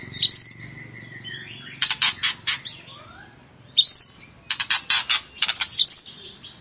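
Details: Kept white-rumped shama singing to provoke and excite another shama: high sweeping whistles alternating with rapid rattling bursts of harsh notes, repeated roughly every two seconds, quiet pauses between.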